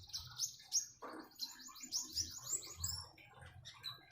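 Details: Common iora song: a run of thin, high descending notes repeated about three times a second, then a brief lower rasp and scattered chirps, with light water sounds.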